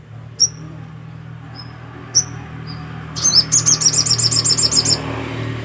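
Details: A black-capped white-eye sings vigorously, two lone piercing high notes followed by a fast run of about a dozen bright, shrill chirps lasting two seconds, over a steady low hum.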